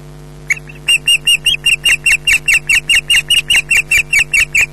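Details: Female osprey on a nest in Scotland loudly calling at a male that flies in to mate without bringing fish; rapid, regular, harsh yelping notes repeated about two to three per second after a brief pause, steady hum beneath.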